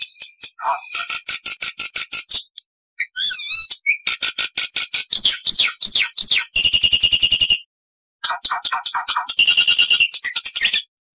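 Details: Dense Black-winged starling song for teaching other starlings: rapid buzzy pulses, a wavering whistle, a long harsh rattling stretch, a pause, then more fast, grating chatter.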